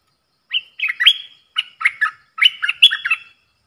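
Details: Bulbul kept in a cage, singing dok taeng style phrases while dueling wild birds on 03/10/2564: three tight groups of lively whistled notes, swooping up and down, with short gaps between them.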